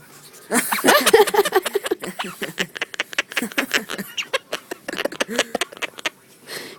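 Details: Pet Quaker parrot laughing maniacally during a play game of trying to bite someone indoors: rapid bursts of harsh, chuckling pulses, about four per second, uneven in spacing, with people talking and encouraging it nearby.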